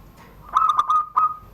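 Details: Zebra dove, a privately kept bird of Serang, Banten origin, delivering its crystal-toned surung gdor song beneath a door: a quick stutter of clear cooing notes, a short pause, then one final sustained coo.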